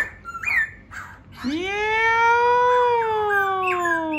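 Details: Short whistles open this laughingthrush phrase, then a sustained, full harmonic note rises and slowly falls, with brief high whistles near the end.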